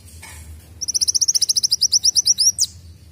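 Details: Kolibri wulung sunbird song with canary-like phrasing, played to train young birds: a short pause, then a quick run of high upswept whistled notes that speeds up and ends in a steep downward slur.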